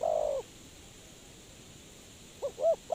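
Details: Spotted dove call used as a lure for trapping: a soft, low, drawn-out coo followed after a pause by short clipped coo notes, over a steady background hiss.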